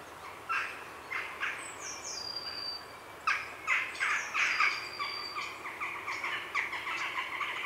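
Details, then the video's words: Grey herons calling at close range in a heronry in the afternoon: bursts of harsh, rapid chattering notes in uneven runs, with jackdaws and a thin, high blue tit call in the background. "Grey Heron. Heronry Calls CU In Afternoon"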